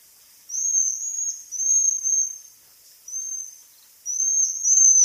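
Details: Waxwing giving a series of thin, very high, level trilled notes in close succession, some slightly rising at the end, over light hiss.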